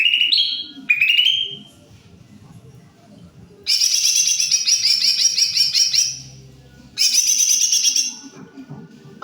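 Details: Greater green leafbird singing energetically. Two short, rising, whistled phrases open the clip, then come two long bursts of quick, bright, rolling chatter, each lasting more than a second.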